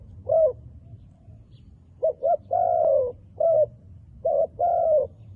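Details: Wild dove with black-spotted feathers giving repeated low coos: a short note, then a double note leading into a long drawn coo, followed by further short and long hollow coos.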